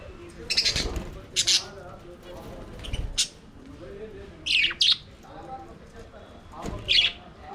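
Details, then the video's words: Budgerigars singing and playing in an aviary, giving loud squeaky chirps in pairs and singles spaced a second or two apart, with a soft warbling chatter and a few light knocks underneath. "Budgies singing and playing in their Aviary"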